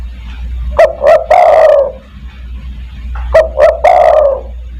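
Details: Spotted dove, 'kuk 1' lure cooing used to call other doves: two identical loud phrases about two and a half seconds apart, each two short notes leading into a long wavering, falling coo.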